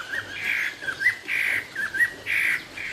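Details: Chinese hwamei giving loud, sustained whistled notes at steady pitch, each lasting about a quarter second and separated by short clipped chirps, over a faint low hum.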